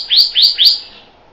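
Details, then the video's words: Pyrrhuloxia, Cardinalis sinuatus, giving three quick rising-then-falling whistled notes, each sweeping up sharply before trailing off, spaced about a quarter second apart, with a clean quiet background. "Pyrrhuloxia Song! Pyrrhuloxia Call! Pyrrhuloxia Sound! - Cardenal Pardo Canto"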